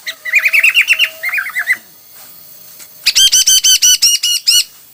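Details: Hwamei singing in many varied styles: a quick run of looping, whistled notes, then after a pause a loud burst of ringing, evenly repeated rich notes about five per second.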